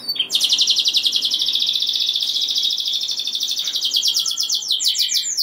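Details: A canary sings a sustained, very fast trill of tightly repeated notes, meant to rouse other canaries into song, with rolling sweeps appearing near the end; the singing is steady and unbroken.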